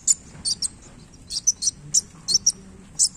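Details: Wulung sunbird calling while flicking its tail: irregular, spaced single and paired very high, sharp chips over a low background hum.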